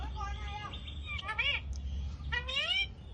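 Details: Talking Alexandrine parakeet producing voice-like, rich harmonic syllables: a level tone, then rising and falling slurred phrases, over a steady low background hum.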